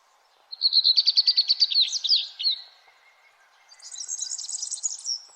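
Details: Birds at sunrise, early morning: a rapid run of about a dozen evenly repeated chirps ending in a slurred flourish, then a softer high twittering phrase.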